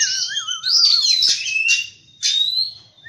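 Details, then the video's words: A wavering low whistle from an oriental magpie-robin at dawn gives way to long, clear sliding notes and harsh high bursts in its morning song. "Birds Chirping In The Morning| Natural Sound of Birds Singing|Oriental Magpie-Robin"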